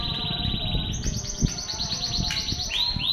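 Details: Masteran song of a canary, Banda Aceh: a rolling high trill gives way to quicker clipped notes and two rising, sweeping whistles at the end, with steady low background hum.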